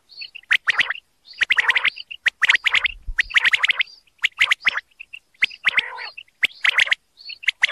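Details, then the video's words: Repeated bursts of crisp, percussive common quail notes from a calling male, each burst a tight run of three or four, separated by short pauses, with a faint low thump midway. "common quail calling"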